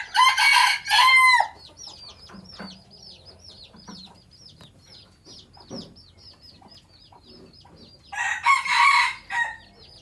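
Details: Traditional Phatthalung-line decoy red junglefowl, bred at home in Thailand and crowing to draw in wild junglefowl. Two loud rasping crows come at the start and two more near the end, about eight seconds apart, with thin rhythmic high chirps running continuously underneath.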